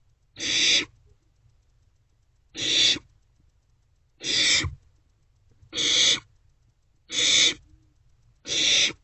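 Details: Barn owlets in a nest box at night, 1:47–2:06 am on 27 March 2024, sharing and passing a vole back and forth. Six harsh, hissing screeches of about half a second each, repeated roughly every one and a half seconds.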